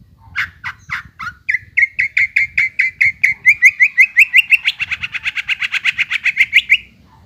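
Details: Greater green leafbird song played to stir a silent bird into singing again: a few slurred notes, then a long fast rattling trill of rising, repeated chips, about five per second, loud and clear.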